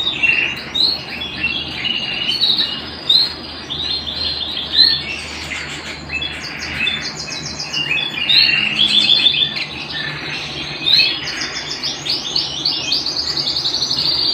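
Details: Canary singing at home, a continuous high warbling song of fast trills, buzzy rolls and bright chirps, the phrases shifting every second or two, over a low steady background hum.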